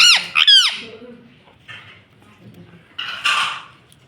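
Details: Two quick swooping parrot syllables from a pet ringneck open the moment, followed by faint murmurs and a rough, noisy squawk-like burst.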